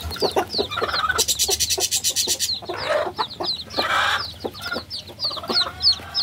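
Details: Baby chicks cheep in quick, high-pitched notes, many birds calling at once, while bursts of scratchy rustling and a few lower taps break in between.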